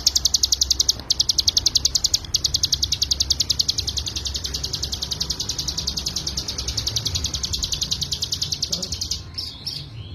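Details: Mountain prinia (ciblek gunung) singing full 'ngebren' as a tutor recording for songbirds: fast, high repeated notes in a long run, loud at first then softer, ending in a few scattered notes.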